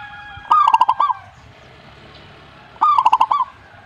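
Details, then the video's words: Two phrases of zebra dove song, a little over two seconds apart, each opening on a higher drawn note and tumbling into a quick string of short, resonant cooing notes. "suhu perkutut jika nyaut"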